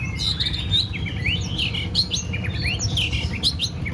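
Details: White-rumped shama readied for a singing contest, a rapid run of slurred whistles and chirps without pause, over a steady low hum.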